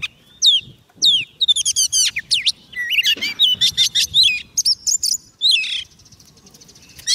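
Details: Oriental magpie-robin, kept on soft food, singing to call in wild birds: a varied, rapid run of loud whistled notes, some sliding up or down, mixed with sharp chirps and buzzy trills, delivered in bursts separated by short pauses.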